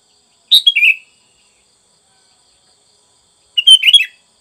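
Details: Two short sooty-headed bulbul phrases about three seconds apart, each a bubbly, slightly falling cluster of clear whistled notes, recorded for training caged birds.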